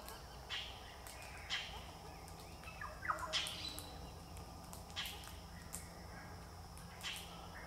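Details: A group of Galahs (Eolophus roseicapilla) on a parking lot at Berry Springs Nature Park, NT, Australia, 10-12-2023, give harsh, rasping screeches about once a second from several birds over a steady low rumble.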